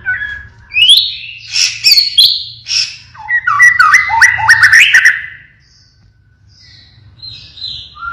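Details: White-rumped shama, pied 'blorok' form, in vigorous song with 'siren shots': high sweeping whistles followed by a fast tumbling series of chattering, stepping notes, then softer distant whistles.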